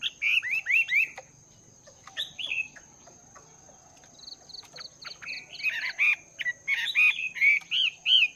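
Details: Caged Chinese hwamei, wild-caught and kept two months, singing in the morning to train its voice: bursts of rolling whistled notes, a quiet gap, then a run of short clipped notes and loud varied slurred whistles, with a steady high whine.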